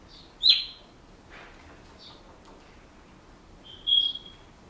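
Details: Pet Senegal parrot at home, kept in a household setting: two short, high chirping calls separated by a long quiet pause, the second a slightly longer flat whistle-like note.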